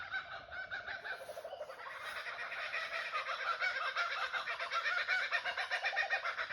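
Kookaburras laugh in a loud, rollicking chorus of rapid chuckling hoots that builds and rises in intensity over several seconds.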